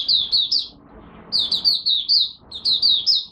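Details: Malaysian mata puteh, or oriental white-eye, warming up with its first song of the day, 1 August 2023. Three short bursts of high, clear, slurred chirps, each of three to six notes, separated by brief pauses.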